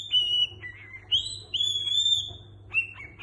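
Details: Cockatiel at home whistling imitated melodies such as La Cucaracha and a Niko Pandetta song: several pure sustained whistles, falling then jumping higher and holding, closing with short rising notes over a low hum.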